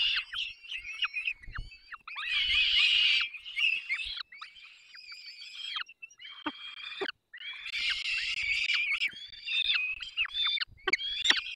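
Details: Peregrine falcon nestlings in Dolina Baryczy, Poland, 3 May 2024, fed by the adult pair: piercing wheezy squeals and sharp downslurred notes, rising to dense overlapping chorus twice, faint nest rustles beneath.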